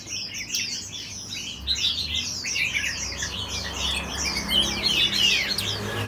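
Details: Oriental magpie-robin from Ho Chi Minh City, Vietnam, April 2021, delivering a fast run of downslurred whistles and twittering notes, growing louder toward the end, with soft low-pitched room noise underneath.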